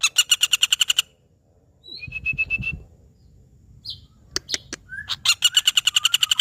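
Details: Common flameback, called pelatuk bawang, starts and ends with quick rattling series of harsh notes, with faint whistles, scattered clicks and a low rumble between.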